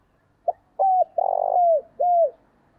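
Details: Lure spotted dove calling to attract wild birds, one clean phrase: short first note, flat coo, extended burry coo gliding lower, and a final curved-down coo, against a quiet background.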